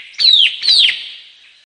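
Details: Two loud, clear whistled notes from a White-capped tanager, each sliding downward and fading with a brief echo.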